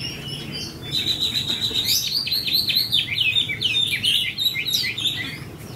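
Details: Red-whiskered bulbul, a trainee decoy bird described as having 'fire eyelids', tested for temperament: a dense, lively stream of sharp chirps and slurred whistles, rapidly repeated and overlapping, over faint low hum.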